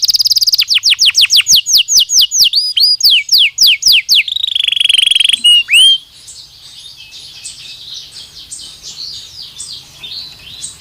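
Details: Belgian canary singing naturally, song meant for daily stimulation and training: rapid series of loud descending whistled sweeps, then a buzzy rattling trill, fading into softer warbling chatter.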